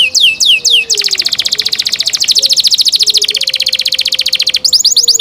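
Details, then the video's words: A canary gives a few falling whistles before a long, even, rapid trill lasting several seconds, finishing with fast bright sweeping notes. "canary Nice sound"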